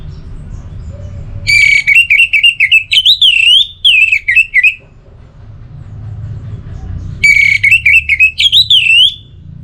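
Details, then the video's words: Caged orange-headed thrush delivers two long bursts of rapid, looping whistled and warbled notes, each lasting about three seconds, with a quiet gap between and a steady low hum underneath. "98% Obat Gacor Burung ANIS MERAH Buat Burung Yang Lagi Malas Bunyi"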